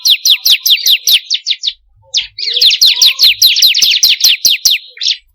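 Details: Ciblek kristal, the bar-winged prinia, in a recording meant to train kept birds to sing: quick series of high, downward-slurred chirps, a short gap, then a longer run of the same rapid notes.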